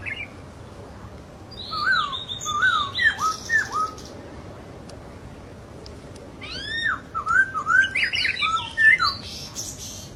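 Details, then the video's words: Masked laughingthrush singing in the wild, with two bursts of loud, down-slurred whistled notes, each burst several notes long, separated by a quiet pause of about two seconds. "Burung poksay Hongkong di Alam"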